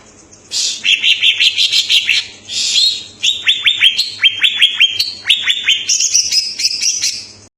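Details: Loud song of a greater green leafbird (cucak ijo): buzzy rattling bursts give way to a long run of crisp, evenly spaced falling whistles, finishing in thin, very high trilled notes.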